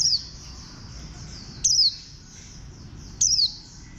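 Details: Bantam-shaped warbling white-eye repeating a sharp, thin, high chirp that drops quickly in pitch, three notes about one and a half seconds apart against soft steady background noise.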